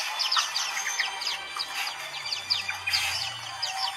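A busy chorus of white-eyes: many high, thin chirps and quick twittering phrases overlapping without pause, with a faint low hum underneath.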